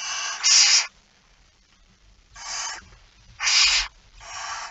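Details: Barn owl feeding at the nest, recorded 05:28 on 19 September 2019: scratchy, hissing screeches in pairs, a long pause, then three more, over a faint low rumble.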